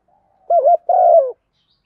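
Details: One phrase from a decoy spotted dove calling wild birds: a soft lead-in, a wavering double coo, then a longer, gently falling deep coo.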